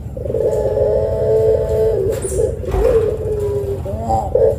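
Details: A Barbary dove gives a long, drawn-out low coo, then shorter rolling coos, over a steady low hum; a lure recording meant to prompt other doves to coo.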